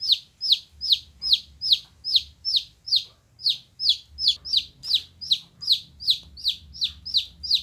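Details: Little golden chicks giving loud, high peeps that slide downward, repeated about every 0.4 seconds without pause over a quiet low background hum.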